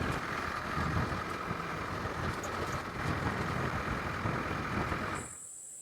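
A vehicle engine drones and rumbles for about five seconds, then cuts to near quiet with a thin steady high tone.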